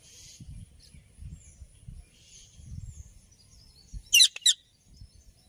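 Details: Alexandrine parakeet heard naturally: low rumbling background noise and faint distant chirps for several seconds, then two sharp, harsh squawks close together near the end.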